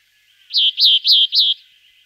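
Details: Four loud, slightly slurred notes from a Sombre tit, each rising sharply then sliding down, spaced evenly about every quarter second over one second, against a quiet background with a faint steady hum.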